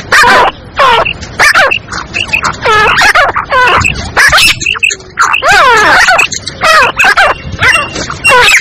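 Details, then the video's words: Calling female black francolin, its voice meant to lure other francolins and stir them up: loud, nasal, harmonic notes that bend downward, given in uneven bursts with short pauses between them. "Teetar ko Jaldi bulani aur Masti men lane wali Awaz تیتر کو جلدی بلانے اور مستی میں لانے والی آواز"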